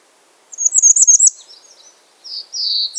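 Bay-breasted warbler giving a quick run of very high, thin, lisping notes, then fainter wisps and a final sibilant rising-falling phrase; no other sounds intrude.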